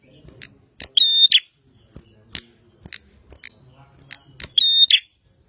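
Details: Vigorous song of a bar-winged prinia: a run of short sharp high chips punctuated twice by a long level whistle bracketed by buzzy notes.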